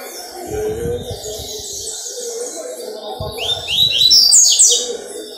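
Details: Captive Double-collared seedeater singing, recorded on 4 October 2023: a fast run of high, sweet chirps and slurred notes ending in a bright flourish, with a man's voice and low bumps underneath.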